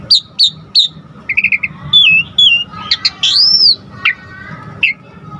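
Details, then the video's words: Asian pied starling song for provoking other starlings into singing: sharp whistled notes, short trills, an arching clear whistle and spaced single calls. "Pancingan Jalak Suren GACOR Full Isian Bikin Tambah Emosi Burung Jalak Agar Lain Tambah Gacor Full"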